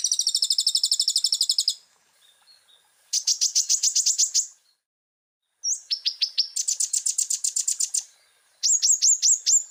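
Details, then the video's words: Bursts of high, rapid trilled notes from a common iora, a gacor full isian masteran, separated by short pauses; some phrases open with a rising slurred whistle before the quick repeated chips. "MASTERAN KONIN GACOR FULL ISIAN PENDONGKRAK EMOSI BURUNG"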